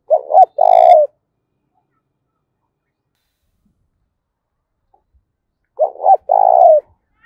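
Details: Fighting-provoking coo of a spotted dove in the mixed 'thổ' voice: two phrases about five seconds apart, each a quick two-part lead-in followed by a drawn-out, slightly falling burred coo.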